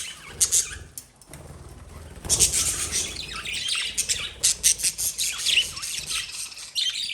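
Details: Lovebirds squawking and chirping in shrill, piercing bursts, some rising, broken by brief pauses and rustling, then building into busier chatter.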